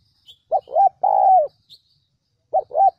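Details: Decoy spotted dove coo for luring wild doves: two quick notes then a long descending coo, followed after a pause by the start of the next phrase; faint high chirps otherwise quiet.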